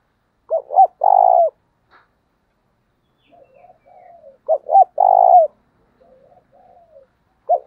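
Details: Spotted dove giving a fiery, urging coo played to lure wild doves into calling back: two quick stuttered notes, then a long, mellow, falling coo, with soft low murmurs between phrases, repeated twice.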